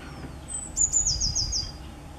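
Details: On 10 April 2020 a Eurasian blue tit sings one phrase: a high thin whistle, a pair of clipped notes and a bright rapid trill of five or six sliding notes, against quiet low rumble.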